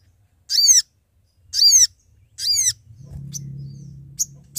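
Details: Sooty-headed bulbul summoning companions, used as a trapping lure: three rasping, falling notes about a second apart, then a low droning hum with a few sharp clicks.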